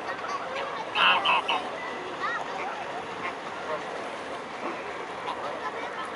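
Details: A flock of mute swans at Blaues Wunder on the evening of 22 May 2016 gives a loud cluster of harsh, nasal calls about one second in, followed by softer scattered notes over a constant murmur of background noise.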